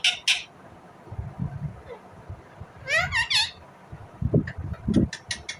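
Rose-ringed parakeet giving harsh, scratchy squawks and a quick burst of rising chirps, with low room noise and thumps underneath.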